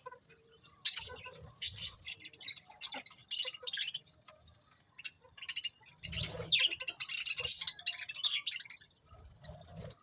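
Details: A group of budgerigars chirps almost continuously. Rapid, high squeaky notes come in uneven runs and build into a louder, denser chattering stretch late on.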